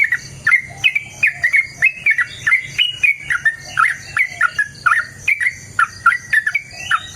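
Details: Yellow-vented bulbul singing continuously, played to lure birds into answering; a long chatter of liquid, gurgling whistled notes that swoop up and down, packed closely together, with a faint low background hum.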